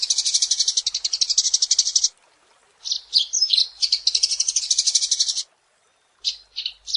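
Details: Eurasian tree sparrow chattering in gacor style for masteran: a two-second run of rapid high chirps, a short silence, twisting squeaky phrases into another fast chirp run, then scattered single notes.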